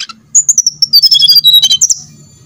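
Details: Brown-chested jungle flycatcher song played as a lure to make other birds sing: a quick run of clear, high whistled notes stepping downward in pitch, ending with a few sharper chips.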